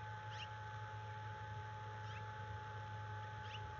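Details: Stressed wild bald eagle at its nest at the National Conservation Training Center, morning of February 1, 2022, reacting to a threat nearby: three faint, thin, high chirps sliding downward, roughly 1.5 seconds apart, over a steady low hum.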